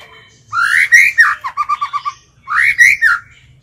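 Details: Decoy white-rumped shama singing to call and provoke other birds in training. It gives loud rising whistled phrases, a run of five quick even notes, then the whistled phrase again, in a quiet setting.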